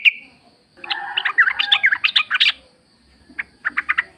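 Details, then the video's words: Yellow-vented bulbul singing a jumbled, gurgling phrase of warbled and slurred notes, then a few separate chirps. It is used as a lure so that caged birds answer. A faint low rumble runs underneath. "trucuk gacor ngalas full suara alam ampuh buat pancingan agar bunyi"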